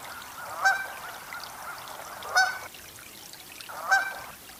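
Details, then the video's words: Canada goose (Branta canadensis) giving three loud, nasal honks about every 1.6 seconds, each a brief two-part blare, over a steady background hiss. "Canada Goose Call / Honk Sounds"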